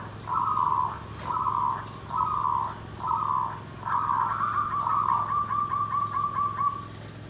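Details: Zebra dove (perkutut) song in the style known as nggandem gedhe garing: four to five short mellow coos at regular intervals, then a long rolling, trilled coo that fades slowly, over low steady background hum.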